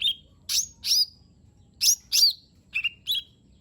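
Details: Lesser green leafbird (cucak ijo mini) song used as a lure: loud harsh upswept chirps in pairs, followed by two short trilled whistles, clean quiet background.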